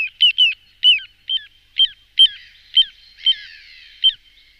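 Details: Little ringed plover decoy sound: a quick burst of sharp whistled notes, then single high, downslurred whistles about every half second, with a brief rustling hiss in the middle.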